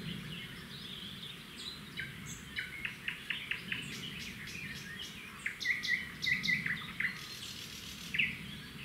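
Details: At a red-backed shrike nest beside a road, the male delivers a grasshopper and the female feeds the chicks. Quick clicky chirps come in loose bursts, followed by a run of high, thin slurred notes near the end, over low rumbling background noise.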